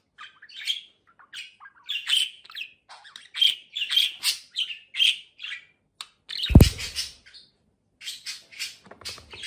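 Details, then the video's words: A moulted, plump pet budgerigar known for talking keeps up a soft running warble of chirps and buzzy chatter. A single loud thump sounds partway through, then the quieter chattering continues. "Konuşan muhabbet kuşu"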